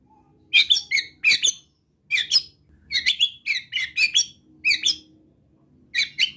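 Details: White-rumped shama's relaxed besetan to provoke other shamas, somewhat quieter: repeated harsh double and triple chattering notes in short groups, with a faint low hum behind.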